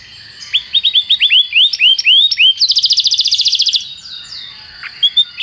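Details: Canary tutor song: a row of rising-then-falling whistled notes at a lively pace, switching to a rapid dense trill, then scattered high slurred notes.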